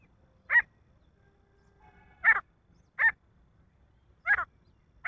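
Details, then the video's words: Male grey francolin uttering single harsh, scratchy notes at irregular intervals of one to two seconds. Faint low hum underneath. "nar teetar ki awaaz titar ki awaaj partridge sound"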